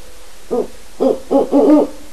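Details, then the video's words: Seven-month-old captive Great Horned Owl owlets, part of a vocalization study, hooting after a wild resident owl's visit; four quick, low, muffled hoots, the last longer and wavering. "Great Horned Owlets Hooting"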